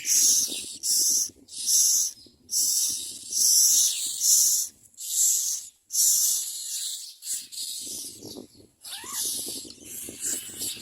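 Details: Common myna chicks begging as parents bring food: loud hoarse hissing rasps in bursts about one per second, each lasting roughly half a second, later softer with a brief rising whistle.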